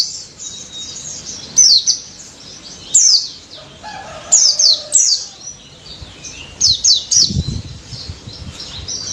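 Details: Pleci daput white-eye in ngalas-style song used to coax mute birds into singing: clusters of shrill, steeply falling chirps in short bursts separated by brief pauses, plus a soft low thump near the end.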